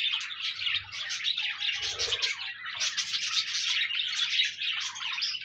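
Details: Several pet parakeets chattering in bursts of quick chirps and buzzy trills, with a brief low soft sound near the middle, offered as company so a lonely budgie will sing.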